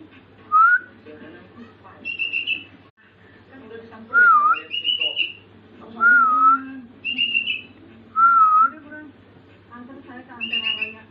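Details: Sooty-headed bulbul named "Ve" practising copied filler phrases: clear, wavering whistles alternating with short high notes, about every two seconds, over a low indoor hum and faint voices.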